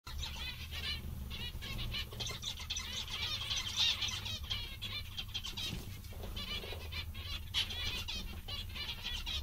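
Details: Several zebra finches, described as funny and very contented today, give a dense chatter of short nasal harmonic beeps and trills that overlap constantly over a steady low hum.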